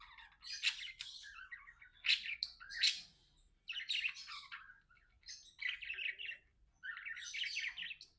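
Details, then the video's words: Pet budgies chatter together while playing, in bursts of buzzy, scratchy warbling and quick squeaky chirps. Each burst lasts one to two seconds, with short quiet gaps between them. "Budgie Best Friends Talking, Playing and Singing"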